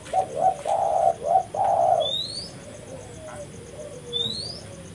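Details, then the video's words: Spotted dove used for luring: a quick series of soft coos, then faint murmurs, with two sharp rising whistles from another bird over light background hiss. "suara burung tekukur gacor paling ampuh untuk pikat dan pancingan"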